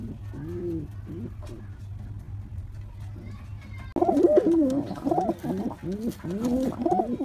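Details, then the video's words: Male pigeon calling to a female in courtship: soft, low coos at first, then from about four seconds a louder run of rolling, bubbling coos with rising-falling pitch, repeated quickly. "Male pigeon Calling Female Pigeon"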